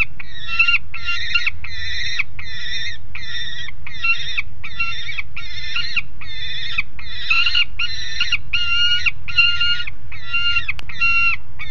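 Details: Noisy juvenile peregrine falcon on the nest grate at Alphen aan de Rijn, 30 July 2016 around 12:30, giving harsh, grating, drawn-out calls repeated about every 0.7 seconds over steady low rumbling background noise.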